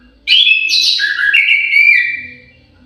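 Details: Aviary orange-headed thrush delivering a rich, continuous warbled phrase. Varied whistled notes step up and down and blend smoothly for about two seconds, then fade. The background is quiet apart from a faint low hum.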